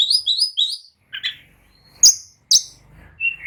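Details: An agitated oriental magpie-robin sings to provoke rivals into answering and fighting: three quick, high, chirped notes, then scattered short sharp calls and a final whistled note over a faint low hum.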